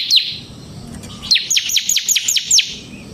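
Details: Bar-winged prinia song for luring other prinias: a single high down-slurred note, then after a pause a series of six similar sharp descending notes.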